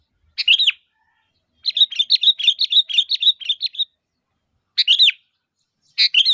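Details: A sooty-headed bulbul calls to draw answers from others of its kind, giving single looping chirps and a rapid chattering run of bright notes in between.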